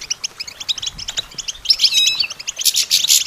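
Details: European goldfinch song meant to train other songbirds: steady pulses of high twittering notes, then a louder burst of ringing, slightly buzzy trilled phrases in the second half.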